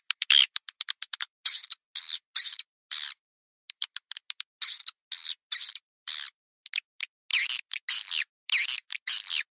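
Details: Swiftlet calls played to attract swiftlets: rapid bursts of dry, clicking, rasping chirps, repeated in irregular groups with brief silent gaps.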